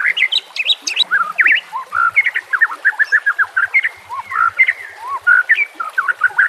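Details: White-rumped shama in continuous varied song, rapid whistled phrases and slurred notes rising and falling, densely packed with almost no pauses; used as a training song for captive birds.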